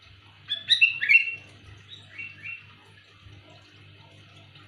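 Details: Loud calling of a sooty-headed bulbul, used for luring: a burst of sharp, clear whistled notes near one second, then softer slurred whistles, with a quiet low hum beneath.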